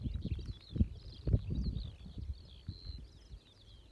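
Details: Song of a Eurasian skylark recorded in June 2018, an unbroken high twittering warble of quick trills and chirps running throughout, over softer low wind rumble with a few thumps.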